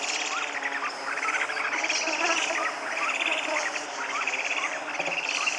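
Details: A Purus jacamar (Galbalcyrhynchus purusianus) sings short, rising whistled notes repeated every second or so, against a dense, high buzzing chorus of insects and other forest birds.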